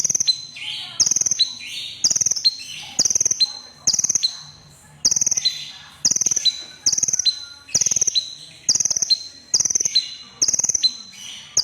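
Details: Crimson sunbird singing actively: short, very high, rapidly pulsed trills, each ending in a thin steady tone, repeated in bursts about once a second through the stretch.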